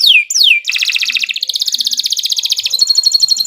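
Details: Canary singing long and continuously, a recording meant to get other canaries singing: two sweeping downward whistles, then a long rapid pulsing trill of about fifty notes that ends in a steady high buzzing roll.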